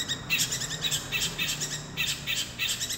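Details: Eurasian tree sparrows giving fighting calls: bursts of sharp, high chirps in quick clusters, broken by brief pauses, with faint low rumble beneath.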